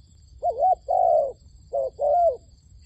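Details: A decoy dove used for trapping wild doves gives two pairs of mellow coos, each pair a wavering note followed by a longer even note, against a quiet background with a faint steady hum.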